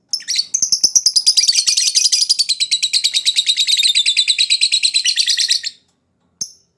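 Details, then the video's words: Captive lovebird lure song meant to set off a reluctant singer: a sustained, rapid, shrill chattering trill of about three notes per second lasting over five seconds, then a short pause and one final chirp. "LOVEBIRD PANCINGAN COCOK UNTUK YANG MALAS BUNYI"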